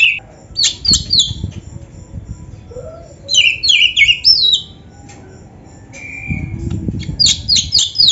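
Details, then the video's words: Oriental magpie-robin (kacer) in full, varied song, played to stir other magpie-robins into singing: bursts of high whistled and chattering phrases around 0.5 and 3.5 seconds, a pause with one thin whistle, then another sharp burst. "SUARA KACER GACOR FULL ISIAN !! - LATIH MENTAL KACER BIAR CEPAT NYAUT GACOR"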